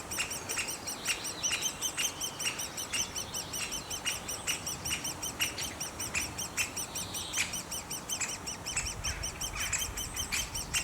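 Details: A nest of great spotted woodpeckers, where young birds keep up a steady, shrill chorus of rapid squeaky notes layered over one another, broken by brief sharp ticks.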